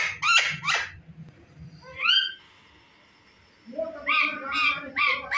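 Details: Chattering talking parrot, known for copying cat meows and dog barks, gives two quick harsh notes, then a single rising meow-like wail, a pause, and a burst of clipped squawky calls.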